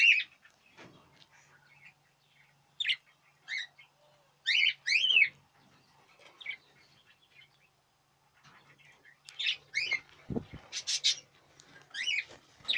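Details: Budgerigars in their 2017 breeding season chirp in short, bright warbling bursts, several birds calling in scattered clusters with brief pauses, over a faint low hum underneath.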